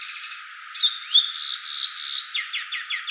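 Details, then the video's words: A violaceous euphonia sings a quick, varied medley of high chirps, buzzy notes and short whistles, ending in a run of rapid falling chips. "gaturamo verdadeiro | guriatã canto"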